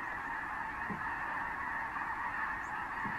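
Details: Landing flock of thousands of Snow Geese among other species over refuge fields along the San Joaquin River, January 2014; a steady din of countless overlapping honks, with brief low thumps.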